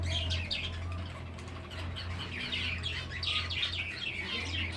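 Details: Rapid, irregular high chirps from a group of breeding finches, several per second, over a strong low droning hum.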